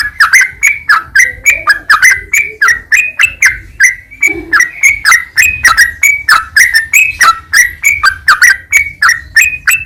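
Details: Sooty-headed bulbul song used to coax caged birds into singing: a long, steady stream of chirpy, liquid two-part whistled notes, each sliding up or down, repeated several times a second, with a faint low whistle in the background.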